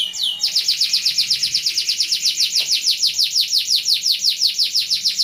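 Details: Canary delivering a rolling 'ngeroll' song meant for training other birds: a brief rising whistle, then a long, rapid, even trill of very high buzzy pulses that continues without a break.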